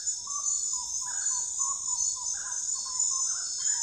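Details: Common gallinule calling with a run of short, clear, slightly falling notes in quick succession, some doubled, over a constant high buzz of insects.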